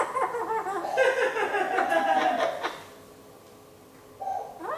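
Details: One-year-old pet Eclectus parrot that imitates a chicken gives a run of hoarse, cackling clucks, quick and uneven, for nearly three seconds, then after a short pause one brief rising squawk.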